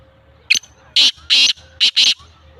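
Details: A speeder chakri wala black francolin, kept for its voice in Sindh and Punjab, gives a loud rasping phrase: one sharp note, then two long scratchy syllables and a quick buzzy pair, over a quiet background.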